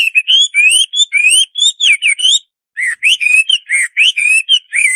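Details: A Hwamei (Chinese hwamei, Garrulax canorus) sings a fast, varied stream of rich whistled phrases, rising and falling notes packed close together, with one brief pause midway and no other sounds.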